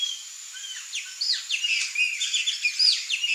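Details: A flock of Chopi blackbirds calling together: quick, high chirps, sliding whistles and sharp downslurred notes tumbling over each other, growing busier after the first second.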